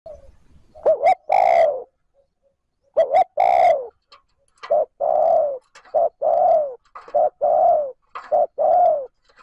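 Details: Spotted dove calling to stimulate and lure other doves: a series of low, mellow coos, each a short note followed by a longer hollow, slightly falling coo, phrases repeated about every second with brief sharp clicks between, no other sounds.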